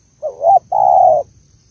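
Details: Female spotted dove, Malaysian type, urging the male: a brief upward-slurred coo running into a second rising note, then a sustained husky coo lasting about half a second, with a faint steady high tone.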